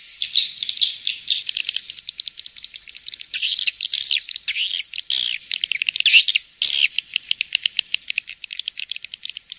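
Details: Swiftlets giving dense, rapid high-pitched twittering chirps in quick uneven bursts, with a few longer buzzy trills in the middle; no other sounds.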